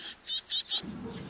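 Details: Great tit at the nest gives four very high, buzzy, hissing bursts in quick succession, each lasting about a sixth of a second. A low rustle follows.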